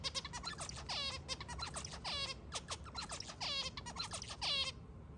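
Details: White pet zebra finch singing while playing with its owner's hair indoors; a fast run of nasal, buzzy, harmonic-rich notes and short rasps, delivered in quick bursts for about five seconds before stopping.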